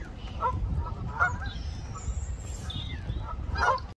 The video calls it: Geese Honking || canada goose sounds || Canada Geese honking